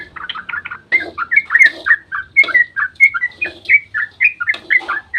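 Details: Yellow-vented bulbul giving a long, lively dawn 'ropel' song used as a lure to make other bulbuls answer: rapid bubbly, slurred whistled notes, rising and falling in quick runs, with a faint low hum underneath.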